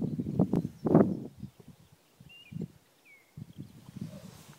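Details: Recorded through a spotting scope on an iPhone 4 in the eastern Ore Mountains on 3 April 2016, a black grouse gives loud low bubbling at first, then softer separate bursts after short pauses, with two thin bird whistles between.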